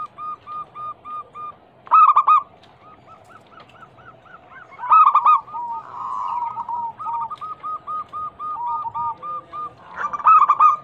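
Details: Zebra dove, local type, cooing as a lure so caged doves answer: strings of soft evenly spaced coo notes broken by loud rolling phrases roughly every three seconds, with a humming sustained note midway.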